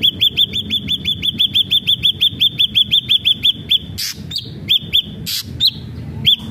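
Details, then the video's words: Energetic ashy drongo song for luring other ashy drongos into song: a long, fast, steady run of about twenty looping whistled notes, followed by harsh rasping bursts and scattered single whistles. "srigunting abu abu gacor AMPUH BUAT pancingan srigunting abu biar bunyi"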